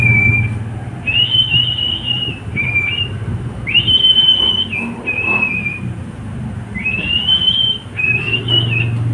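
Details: Pet cockatiel singing: repeated clear whistled notes, held and slightly arched, grouped in phrases with brief gaps. A soft low hum sits in the background.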